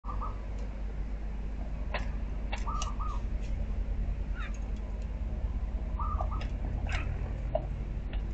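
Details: A black Asian myna gives a few short, wavering, nasal calls, almost cat-like, mixed with sharp clicks, over a steady low rumble underneath.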